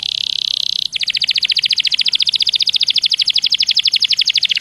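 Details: Canary singing to draw song from other canaries: a steady buzzy roll giving way to a fast, even trill of repeated notes held for several seconds.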